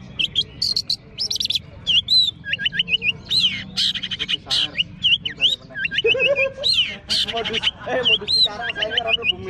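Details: Long-tailed shrike at a bird singing contest, caged on a hanging pole, delivering varied high whistles, quick repeated hooked notes and scratchy bursts in a lively run, with people talking underneath.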